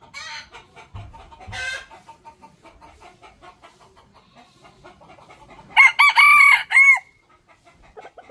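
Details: Rooster crowing: soft, rapid clucking notes fill the first seconds, then a loud, harmonic cock-a-doodle-doo about a second long breaks into several strained, wavering segments before clucking resumes.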